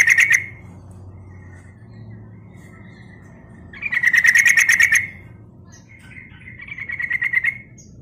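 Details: Sooty-headed bulbul lure call over a steady low hum: a short rattle, then a long burst of fast pulsed chatter, then a rising series that swells into another rattle.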